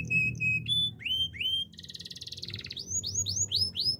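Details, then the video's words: For training, a canary sings short level whistled notes, then rising slurs, a dense buzzy trill, and a closing string of high upslurred notes. "The most powerful canary training song"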